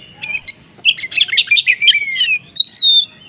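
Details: Oriental magpie-robin in the konslet style, a lure to make other magpie-robins reply. A high whistle, then a quick cluster of harsh, buzzy chirps and a long clear whistled note that descends slightly.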